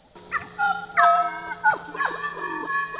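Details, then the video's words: Papuan butcherbird song played to lure birds in the forest: rich whistled notes with strong overtones, short downward slurs and sliding phrases over a steady low electronic hum. "suara burung jagal papua gacor"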